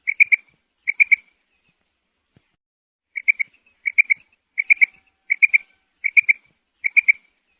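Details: Calls of a female quail used to attract quail for hunting: short bright triple-note bursts, repeated roughly every 0.7 seconds after an early pause, with no other sounds.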